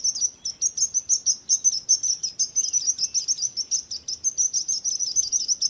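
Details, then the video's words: Birds singing in a regular, pulsing pattern of high chirps, about three per second, steady throughout with no pauses. "Relaxing Birds Chirping Sounds | Relax With Singing Birds Sounds"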